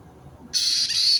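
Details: White-bellied caique parrot, recorded 29 March 2022: silence, then a sudden loud, piercing screech of about two-thirds of a second with a slight break midway.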